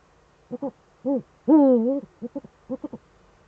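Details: Eurasian eagle-owl pair, male at the nest, Eifel, Germany, 7 April 2013 at 20:28; brief low hoots and a rounded single hoot lead into a long, harsh, wavering call, followed by quick clipped hoots.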